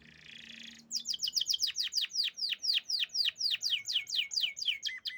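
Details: Canary song opening with a soft hiss, then a rapid series of sweeping, downward-slurred whistles repeated about four times a second, bright and high, each note falling steeply in pitch.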